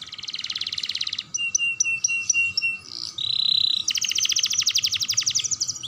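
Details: Lively young canary song meant to spur other canaries to sing: a fast buzzy trill, then spaced sharp chips, a flat rasping note, and a long rapid pulsing trill to the end.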